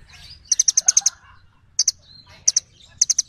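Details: Little birds exchange calls: a run of six fast, shrill chirps, then single chirps and pairs of chirps spaced about half a second apart, over soft background twittering.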